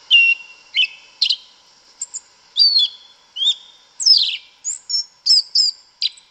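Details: Yellow-legged thrush (Sabiá Una) singing in Brazilian woodland, a forest-style song: a continuous sequence of clear whistles, sliding slurs and sharp high notes, each phrase different, delivered at a brisk pace.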